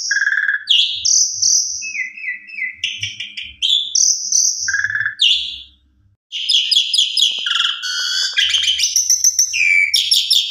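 Black-collared starling in a loud, varied song of clear whistles, harsh buzzy notes and rapid chattering phrases, broken by a brief pause midway.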